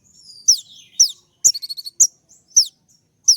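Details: High, penetrating slurred whistles from a brown-throated sunbird, known locally as kolibri ninja, interrupted by one quick burst of five chattered notes, in a 'suara tembak' recording meant to make birds respond.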